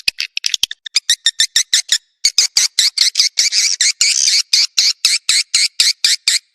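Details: Swiftlet attraction call: quick sharp ticks, a short gap, then regular buzzy, high chirps roughly twice a second, some longer and rasping.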